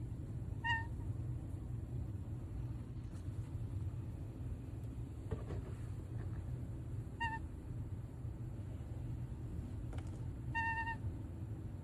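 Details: An indoor pet male toucan perched in a tree by a window gives three gentle, short, soft nasal honks, each with a slight upward lift, spaced several seconds apart over a steady low rumble; he had been chewing the plant's leaves.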